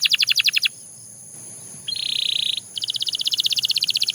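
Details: Singing Belgian canary: a clipped high trill, a silent gap, a flat buzzy burst, then a long even trill of rapid notes, with steady faint hiss underneath.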